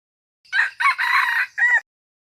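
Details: A wild red junglefowl, local name qaib qus, crows once: two rough opening notes, a long sustained hoarse section, then a short final note. Nothing else is heard.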